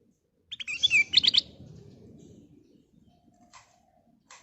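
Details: Sooty-headed bulbul (kutilang emas), lively singing used as a lure for other birds: a short burst of bubbly, rapidly warbled whistles lasting about a second, then near silence with faint low background rumble.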